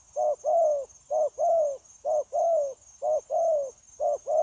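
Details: Caged wild-caught spotted dove used as a trapping decoy, cooing in the 'gù' manner: clear pairs of a short low coo and a longer slightly descending one, evenly spaced about every second, with a faint steady high-pitched hum behind.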